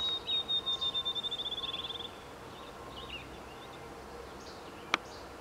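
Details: A field sparrow, a rare vagrant, sings a high, clear series of whistled notes speeding into a bouncing-ball trill over faint hiss and a single click, near Hadashville, Manitoba, Canada, on July 7, 2019.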